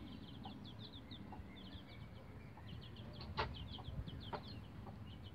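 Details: Bantam Rhode Island Red chicks about 11 days of age using a chicken ladder; dense runs of high, falling peeps from many chicks, broken by a few loud knocks and scratching sounds over a low steady hum.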